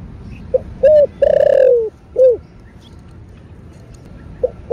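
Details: Spotted dove (cu đất) thổ bầu style coo aimed at rousing caged birds: short note, a second note, a long slightly falling coo, then another short note and a faint start of a new phrase.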